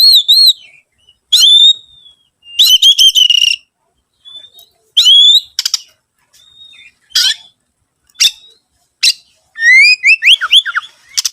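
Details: Oriental magpie-robin singing, used as a lure to get other birds singing: separated bursts of clear whistles, upslurred notes and scratchy rattles, ending in a fast run of sharp chirping notes, with silent gaps between phrases.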